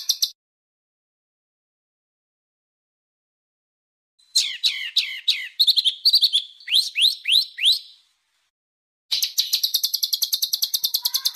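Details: Coarse masteran song for pet and contest birds: a short burst, long silence, then a series of steep falling whistles and chips, another gap, and a rapid harsh rattling trill.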